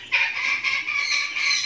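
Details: Hand-fed baby cockatoo, just hatched, giving loud, rasping, throbbing calls in quick succession without pause, each pulse strongly nasal and buzzy.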